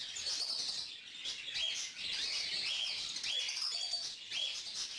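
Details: Formerly hand-fed young yellow female cockatiel begging as an adult male feeds her; grating, breathy chatter with a few clear upward chirps and short pauses between bursts.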